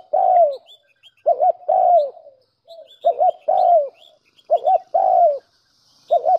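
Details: Lure recording of a spotted dove, used to stir wild doves into cooing: steady low coos in phrases of a short doubled note and a drawn-out descending note, repeated about every two seconds, with thin chirps of small birds above.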